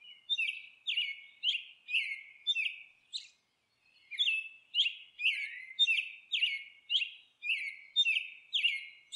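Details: Monk parakeet at its nest, giving harsh, scratchy squawks that slide downward, repeated about twice a second in a steady series, with a short break near the middle before the calling resumes; no other sounds are heard.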